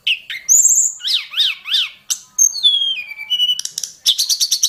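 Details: Wild mountain hill prinia song: a sharp upward whistle, three repeated chevron-shaped notes, a long falling whistled glide, then a fast burst of high repeated notes.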